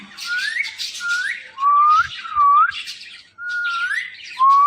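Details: Pet Indian ringneck parakeet giving loud, clear, rising whistles roughly every second, mixed with bursts of harsh, scratchy chatter between them.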